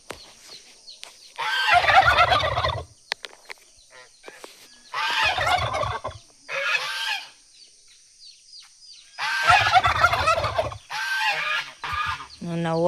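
Goose giving harsh, nasal honking bursts, each lasting about a second and coming in uneven bouts every few seconds, with quiet gaps between.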